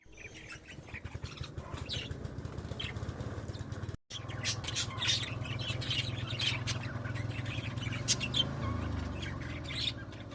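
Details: Pet budgerigars twittering in fast, irregular high chirps, somewhat soft, beneath a prominent low steady hum lasting throughout.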